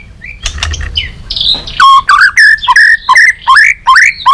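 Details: A White-rumped shama in competitive song with tail flicking: after soft scratchy notes, a series of loud rising whistled phrases, each with buzzy overtones, repeats at a quick, fairly steady pace.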